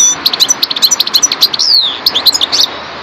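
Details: European goldfinch of the parva subspecies singing loudly and close up: rapid, bright twittering notes in quick succession, broken by one drawn-out, slurred falling note midway, then more fast chirps, over a faint hiss.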